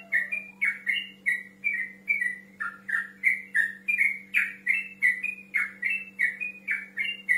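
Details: Yellow-vented bulbul, male, calling out a rival with a continuous chattering string of liquid whistled notes, roughly three each second, bouncing up and down in pitch; steady hum underneath.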